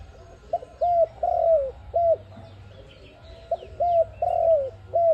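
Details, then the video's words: Cooing ARIMIX dove used to lure birds into traps: two phrases of short coos with a longer sliding coo in the middle, a pause between them, faint twittering of small birds and low background noise. "Sound of ARIMIX dove quality sound to use for trap"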